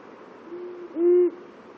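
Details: Long-eared owl, one of two males at the border of their territories: a soft, low, level hoot, then a louder, slightly higher hoot lasting about a third of a second, over a hissing background.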